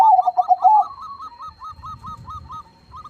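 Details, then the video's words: Big-voiced crossbred zebra dove: a loud burst of rapid, rolling coos, then about ten soft, even notes repeated roughly every quarter second, with low rumbling in the background. "PERKUTUT CROSSING GACOR SUARA BESAR"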